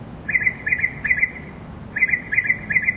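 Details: Mockingbird singing a mimicking song: short chirpy phrases of a few quick notes repeated in two bursts with a brief pause between, over a steady high thin whine and faint low background rumble.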